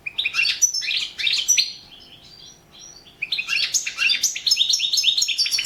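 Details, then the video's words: European goldfinch singing for the 2017 internet World Championship in Goldfinch Song; two phrases of quick, tinkling, chattering twitters separated by a short near-silent pause with a few thin notes. "World championship in Goldfinch Song 2017"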